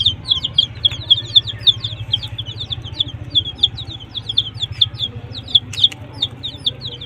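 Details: Desi chicks, some colored, kept with a hen under heat: rapid high peeping, many short down-slurred cheeps overlapping several per second, over a steady low hum.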